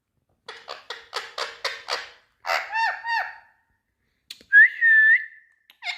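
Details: Indian ringneck parakeet speaking: a quick series of raspy chattering notes, then harmonic, word-like syllables, a brief pause and a loud sustained whistle, with no other sounds.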